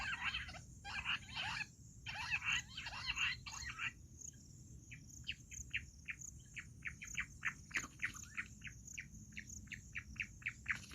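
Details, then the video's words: Jungle bush quail call used for hunting: bursts of rapid chirpy notes, then an even run of short, sharp notes repeated several times a second, over a steady high insect-like whine. "Amazing Quail sound || Battair shikar awaaz || Bush quail voice| baredd Junglee gundri awaaj"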